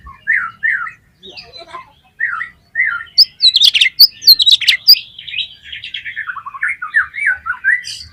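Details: Oriental magpie-robin song played to excite other magpie-robins into singing their repertoire. Short whistled two-part phrases with pauses, then a dense cluster of sharp chirps, followed by a run of falling warbled notes.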